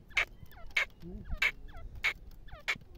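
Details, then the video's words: Harsh, explosive partridge (teetar) notes repeated at an even pace of roughly two per second, interleaved with thin, down-slurred chirps from other birds. "teetar ki awaz"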